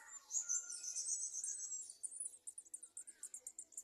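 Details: Olive-backed sunbird (Cinnyris jugularis) nestlings in a garden nest begging for food as adults feed them: a thin, very high twittering wash, then a quick run of sharp ticking pulses, several each second.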